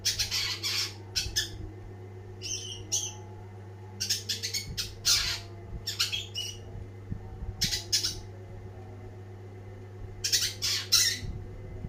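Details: Long-tailed shrike giving harsh scratchy song phrases in clusters separated by short pauses, notes rasping and bright, over a steady low hum.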